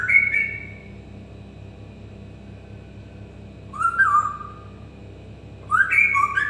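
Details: Whistled phrases from a pet African grey parrot: a short warbling whistle, a held thin tone, a wavering falling whistle midway, and a closing cluster of quick whistled notes.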